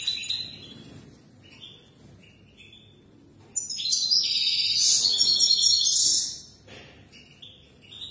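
A European goldfinch sings quick, tinkling twitters, then swells into a loud, dense burst of liquid trills and buzzy notes for a few seconds before easing off.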